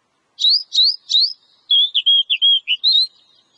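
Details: Oriental magpie-robin, locally kacer, singing to encourage caged birds: three upward-flicking buzzy notes, then a fast run of short level and dipping whistles ending in a rising flourish.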